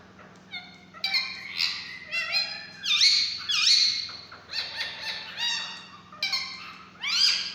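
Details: Alexandrine parakeet babies beg while being hand fed, giving continuous overlapping nasal squawks that rise and fall in pitch, about one to two per second. A low steady hum sounds in the background.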